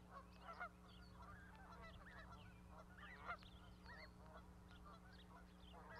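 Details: Goose with young goslings on a Montana osprey platform at Charlo, 12 May 2020. Soft scattered honking notes, two louder calls near the start and one mid-way, above a continuous electrical hum.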